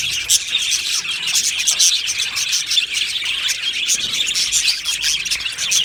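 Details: Budgerigars, Australian parakeets, kept as a colony in an aviary, chirping together: a dense, continuous wash of high twittering and warbling notes from many birds at once, with no single voice standing out.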